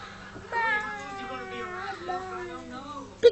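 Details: Pet male Indian ringneck (rose-ringed) parakeet doing his love dance; he says "peekaboo", usually when the room goes quiet. A voiced, speech-like phrase with sliding pitch lasts about three seconds over a low steady hum.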